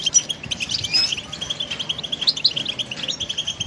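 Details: Goldfinch song for training a songbird: dense, rapid twittering of high tinkling notes and short trills running continuously, with several birds seemingly overlapping and faint background hiss.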